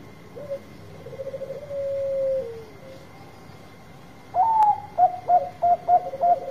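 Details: Zebra dove of the Bangkok type, singing strongly as a lure for birds unwilling to sing: a soft low rolling coo, a pause, then a loud run of about six short clipped coos; steady hum behind.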